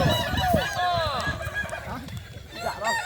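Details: Kukuak Balenggek roosters crowing during a competition final in Solok regency, boko class; long sweeping crows with stacked overtones overlap early on, fading into fainter calls and human chatter.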